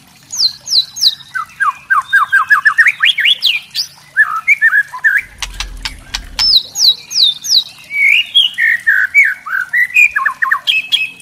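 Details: White-rumped shama, trotol type, in kretekan crackling song meant to provoke other shamas: rapid varied phrases of sharp rising and falling whistled notes in quick runs, a short patch of hard clicking crackles near the middle, continuing loud and energetic throughout.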